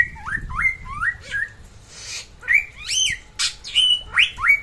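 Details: Samyong from NTB, West Nusa Tenggara, singing vigorously: a row of four similar dipping whistles, a breathy hiss, then loud high ringing notes that sweep down, repeated several times.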